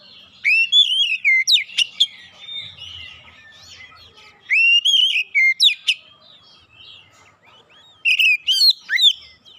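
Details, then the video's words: Caged white-rumped shama delivering three loud bursts of varied whistled song, each a rapid string of rising and falling slurred notes and sharp clicks, separated by quieter pauses. "KACER BISU MACET BUNYI LANGSUNG GACOR"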